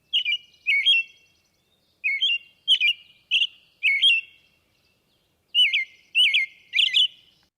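An American Robin sings clear, whistled, rising-and-falling phrases in short groups of two or three, with brief pauses between groups; nothing else is heard.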